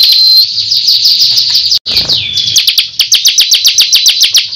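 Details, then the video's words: High, piercing song of a Bar-winged Prinia of the kristal form: a flat whistle, fast chattering, a sudden break, then clearly spaced sharp chips about four a second. "Tembakan Burung Ciblek Kristal Gacor Ngunci"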